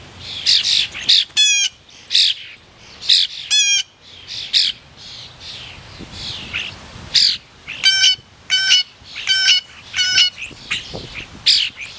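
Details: Chatty blue jay taking a turn at a suet feeder, calling in a busy series: harsh, ringing calls with a buzzy, layered tone, roughly ten of them, mixed with softer chirps between.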